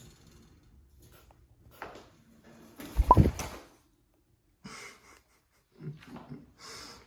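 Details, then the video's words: Cockatiel hissing indoors: one breathy, noisy hiss lasting under a second, followed by a few shorter, softer rasping bursts against a quiet room background. "Cockatiel Hissing Sound"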